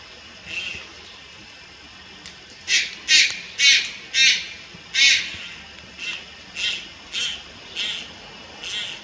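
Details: Juvenile Malayan night heron recorded on 30 July 2022 in Lugu, Taiwan, giving harsh, raspy squawks in a steady series of about a dozen bursts roughly every half second, some louder and some softer.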